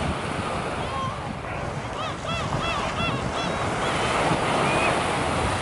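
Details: Gulls at Sokcho Beach, South Korea, on a cloudy day give a run of short, arched, nasal calls in quick succession midway through, over a steady roar of breaking surf and wind.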